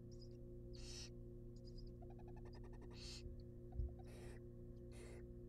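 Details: Nest-box barn owl nestlings, wild, fed a rabbit: noisy hissing bursts alternate with a fast train of tiny clicks, and a brief thump occurs near the end, all above a low steady hum.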